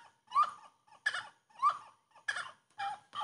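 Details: Grey-cowled wood rail song: loud, raspy, broad notes alternating with short rising whistled notes, about two notes per second, separated by clear pauses.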